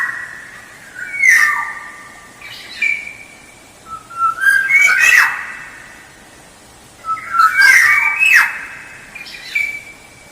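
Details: Black-naped oriole lure song: repeated fluty whistled phrases every few seconds, laced with harsh nasal bursts and rising and falling slurs.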